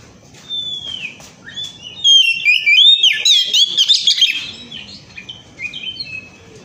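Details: Oriental magpie-robin song meant to lure other birds into singing: quiet drawn-out whistles and slurs open, then a loud rapid tangle of twisting notes and chatters, fading back to soft whistles.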